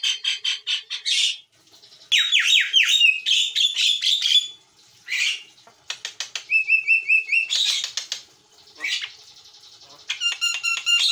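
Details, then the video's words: Javan myna, white-eyed form, in energetic gacor song for bird training: varied chatter mixing scratchy bursts, falling slurred whistles, rapid ticking trains and a sustained nasal buzzy tone, with brief pauses between phrases. "JALAK KEBO MATA PUTIH GACOR"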